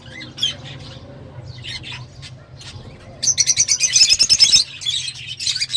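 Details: Lovebirds chattering, with scattered chirps and squeaks followed by a dense burst of rapid, shrill chattering notes, then quieter twittering and a steady low hum.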